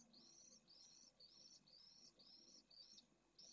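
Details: Breeding colony of pallid swifts at a school in Jerez de la Frontera, Spain, in heat over 45ºC. Soft, distant-sounding, rasping high screeches come in quick succession, almost two per second, over a faint background hum.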